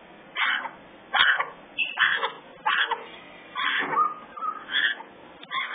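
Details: Young African grey parrots, three babies at a rescue aviary, make hoarse, buzzy calls in short uneven bursts, several overlapping squawks spaced under a second apart.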